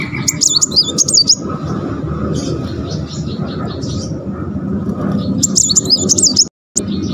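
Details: Kolibri Muncang (brown-throated sunbird) giving "tembakan" shooting-style song: high, rapid zigzag trills open and close the clip, with fainter chirps between over steady low rumble and a brief dropout near the end.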